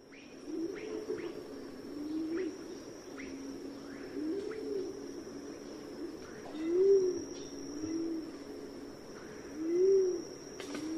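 Pigeons cooing, low rolling hoots overlapping every few seconds, with faint chirps from small birds above and a steady high hiss.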